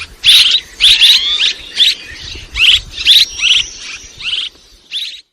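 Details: Barn swallow calls in loud, rasping chirps with a few brief rising whistles, spaced unevenly and fading toward the end.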